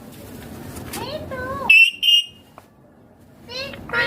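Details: Ringneck green parrot at home, described as talking, makes wavering tonal notes, then two loud clipped whistles, a quiet pause and a final rising squawk.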